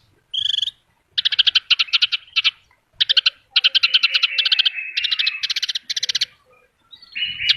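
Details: Vigorous Horsfield's bush lark song crammed with filler phrases: dense buzzy rattles and stuttering trills in quick bursts, with sustained buzzy notes between, very clear and loud.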